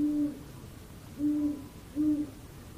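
Great Horned Owl giving three deep, soft hoots in under three seconds, each low and steady, with a faint room hum behind.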